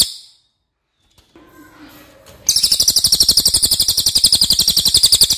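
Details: Racket-tailed treepie, a crow relative known for its long, loud voice, in a recording meant for training songbirds; after faint quiet rustling, a sustained high, grating pulsed phrase starts and runs steadily for three seconds.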